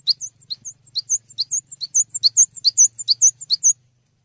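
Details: Cinereous tit tutor song for training songbirds: a continuous, rhythmic series of bright, high double notes, about two per second, growing louder toward the end over a soft low hum.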